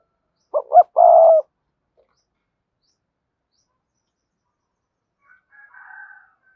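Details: Spotted dove giving one cườm sa coo, used to make other doves coo. Two short notes run into a long low hoot, then several seconds of near silence before a faint soft murmur.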